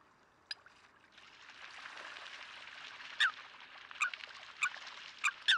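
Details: Eurasian coot in Greece, February 2023: a rushing, splashing wash of water fills the first seconds, then loud, abrupt, high clipped calls break through at irregular intervals near the end.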